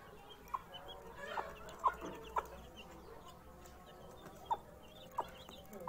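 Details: A rooster meets its chicks for the first time. Soft low clucking runs through the clip, with scattered high, thin peeps from the chicks about every half second to second.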